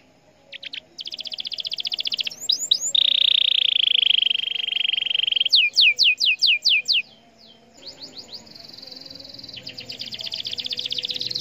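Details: Singing canary, played to provoke other canaries to respond: short rapid trills alternating with a sustained rich whistled tone, bursts of steep downslurred notes, then a long fast high trill.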